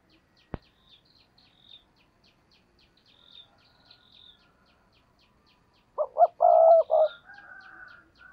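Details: Decoy spotted dove in Vietnam, kept to lure wild doves, gives one coo phrase near the end: two short rising notes and a long steady coo. Faint high chirps repeat in the background, after a sharp click early on.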